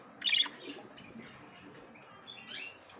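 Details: Female budgerigar checking and trying to enter the nest for the first time; two short, sharp, high chirps, one near the start and one near the end, separated by quiet with faint background rustle.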